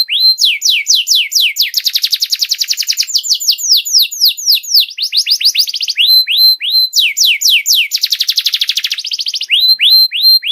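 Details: Master song for teaching young canaries: alternating phrases of falling sweeps and fast buzzy rolls, repeated in cycles, with crisp upslurred whistles between sections.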